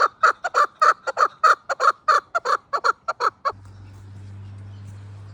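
A chukar gives a quick run of harsh, clucking chuk notes, about sixteen in three and a half seconds, before a low steady hum takes over.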